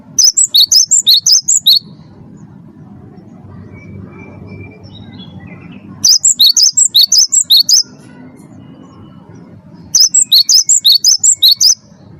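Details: Lure song of a champion 'wingko' Cinereous tit, used to make caged birds sing: three quick bursts of shrill, high chirping notes, around nine per burst, with quiet stretches of low hum in between.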